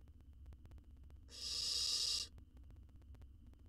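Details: Owl nestling fed a jird in a camera-equipped wild nest box; a single breathy, noisy hiss lasting about a second, quieter than the surroundings' faint ticking and low hum.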